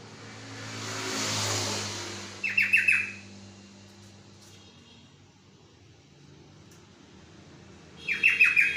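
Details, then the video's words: Yellow-vented bulbul song in two short bursts of rapid, bubbly notes a few seconds apart, over a low steady hum and background noise. "Kicauan burung trocok"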